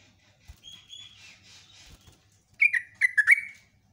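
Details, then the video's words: Lure song of a yellow-vented bulbul: after a soft, drawn-out whistle, a short, loud burst of chattering, bubbly notes lasts about a second before fading. "BURUNG TRUCUKAN GACOR ROPELAN PANJANG"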